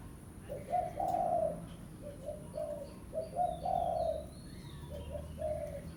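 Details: Spotted dove, pesom lure call for calling a rival: softer, more distant low coos in three phrases of several notes each, over a low background hum.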